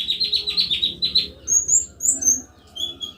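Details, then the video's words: Common iora song used as a lure to get a pet bird singing along: a fast run of high chirped notes, then clear whistled notes at higher pitch, with a low steady hum underneath. "TERAPI KONIN BAHAN CUKUP SATU MENIT LANGSUNG IKUT BUNYI"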